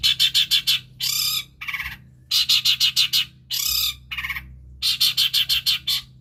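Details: Long-tailed shrike mimicking other birds, its song offered as a lure to prompt silent birds to sing: bursts of five or six harsh, buzzy high notes alternate with longer rasping squawks over a quiet background.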